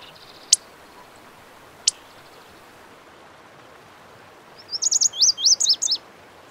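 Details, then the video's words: Lazuli bunting (Passerina amoena): two sharp, isolated high chips early on, then after a quiet pause a short burst of rapid, sweeping high notes near the end, against faint background hiss. "The Melodic Song of the Lazuli Bunting"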